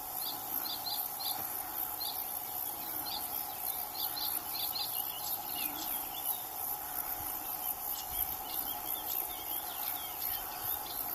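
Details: Melodious warbler singing: quick bursts of short, high chirping and twittering notes, bunched into rapid phrases, over a steady insect hum and constant background noise.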